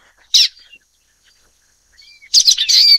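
Common waxbill giving high, buzzy chips: a short burst, a thin rising note, then a longer rush of twittering calls.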